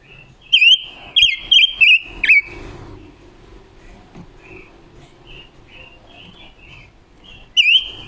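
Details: Female red-billed leiothrix, a seasoned decoy bird with a wild-type voice, recorded October 2021 as a lure and for training other birds: five loud, sharp, up-and-down whistled notes in quick succession, then softer whistles and one final sharp note.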